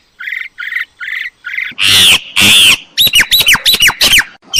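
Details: An old myna producing a few short buzzy notes, then two loud, harsh, broad squawks. A quick series of bright whistled notes follows, each sweeping down sharply.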